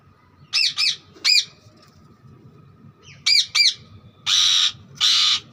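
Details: Green parrot calling with scattered pairs of sharp arched chirps, then two longer, flat, hissing screeches near the end.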